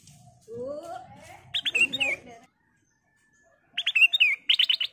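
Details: Ruby-throated bulbul singing to stir other birds into song: after a stretch of mixed background sounds, a rapid burst of sharp chattering whistles, several notes each second, follows a short silence.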